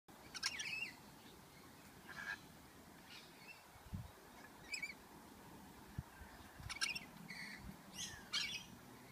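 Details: Rainbow lorikeets bathing and arguing in a backyard birdbath give harsh, screechy calls in brief bursts every second or so, some rising or falling sharply, over a low outdoor rumble.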